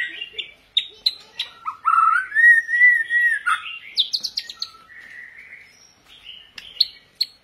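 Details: White-rumped shama singing many varied phrases: a long rising whistled slur, then quick high chips and trills, followed by softer warbled notes, clear and loud with little background.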